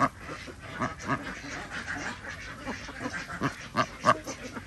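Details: Farmed ducks at feeding time on an organic village duck farm in Andhra Pradesh, giving scattered rasping quacks, some louder and closer, over a steady low hum and faint farmyard noise.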